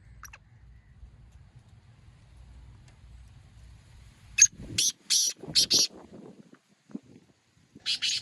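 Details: Black francolin calling: a low engine-like rumble fades before a quick sequence of loud, rough, hissing notes, followed by a pause and another harsh rasp.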